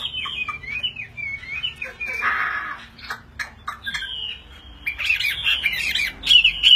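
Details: Chinese hwamei fighting bird in full display, wings raised high: varied slurred whistled phrases, a brief harsh rasp, short sharp chips, then a rich loud warbling flourish of rising and falling whistles near the end.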